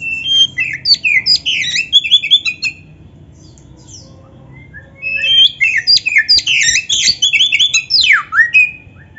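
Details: Black-breasted oriental magpie-robin (kacer) song played as a training master for caged birds, in full imitation-filled style: rich chattering and whistled high phrases with quick sweeps, delivered in two bursts around a quiet gap.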